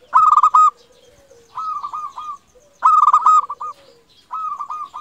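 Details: Local zebra dove in full song, played to draw responses from other doves: rapid stuttered cooing phrases repeated about every one and a half seconds, each a burst of clipped notes followed by a soft low trailing coo.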